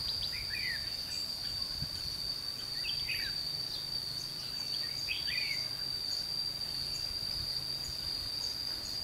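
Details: Red-whiskered bulbul, trapping session at Chùa Hương, 22 June 2016; three separate short warbled, down-slurring phrases spaced a few seconds apart, over a steady insect drone and low background rumble.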